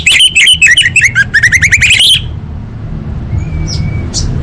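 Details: Orange-headed thrush singing a tutor song: a rapid run of bright whistled and trilled notes lasting about two seconds, then near silence with a faint thin whistle and low background hum.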